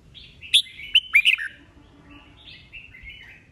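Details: Competitive 'bọng' song of an old wild-caught Red-whiskered bulbul: a few loud, sharp ringing notes in quick succession, trailing into a soft, drawn-out warble.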